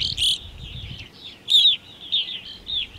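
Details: American goldfinches at feeders in Saint-Fabien-de-Panet, Quebec, at 11:15 am on 9 August 2020 (20–22°C), with evening grosbeaks and purple finches present, give high, sweet, slurred twittering chirps, about six short bursts in three seconds over a faint low rumble.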